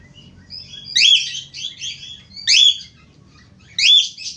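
An Australian finch gives bright, buzzy chirp phrases about every one and a half seconds, with softer nasal notes between them over a low background hum.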